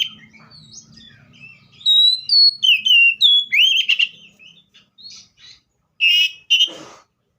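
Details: Seychelles magpie-robin delivering a rapid series of short, loud whistled notes at varying pitches, then two rough, harsh bursts near the end.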